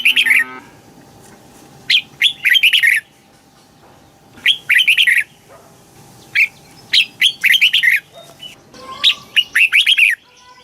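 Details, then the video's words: Red-whiskered bulbul song recorded in Thailand, southern-style phrasing meant to stimulate birds or train young; repeated bright warbling phrases of rapid slurred notes, about every two to three seconds, with short quiet gaps. "เสียงนกกรงหัวจุก สำหรับต่อ หรือ เปิดให้นกคึก เสียงเพราะๆ"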